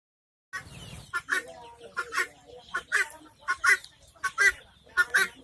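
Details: Pet helmeted guineafowl give harsh, raspy, grating calls in quick bursts, roughly one to two each second, with a faint background hum.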